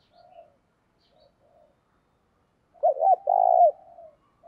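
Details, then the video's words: Decoy spotted dove, call meant to incite fighting, thổ sấm voice style: faint soft coos, a pause, then a loud pair of arched notes and a rolling coo fading into quiet murmurs. "Chim Cu Mồi_cu gáy thúc đấu"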